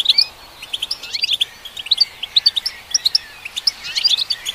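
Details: European goldfinch song aimed at stimulating goldfinches: crisp, evenly spaced high chirps and twittering notes, about four to five per second, with occasional short liquid trills.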